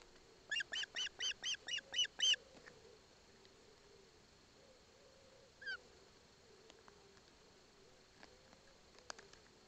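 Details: Osprey chick in Poland's Barlinek Forest, watched by its mother, begging as its father delivers a fish: a quick run of seven sharp, harmonic-rich squealing chirps in about two seconds, then one lone call after a pause over faint background hum.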